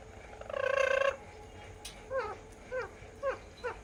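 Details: Alexandrine parakeet during its first taste of ice cream, starting with a long, grating, buzzy squawk, then four short, clipped, falling squawks about half a second apart.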